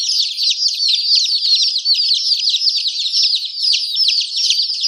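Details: A brood of chicken chicks chirping nonstop, a packed stream of thin, high, downslurred peeps overlapping with no pauses.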